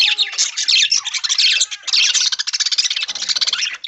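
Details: Early-morning budgerigars in an aviary while fed corn wrapped in green leaves; rapid, rasping warbled chatter, nearly continuous, with fast pulsed notes toward the end.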